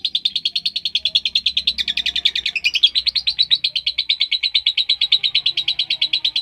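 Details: Lovebird trill used to provoke other lovebirds into long singing: a continuous, fast, buzzy chattering at high pitch, pulsing steadily throughout with slight wavering in tone, a faint low hum underneath.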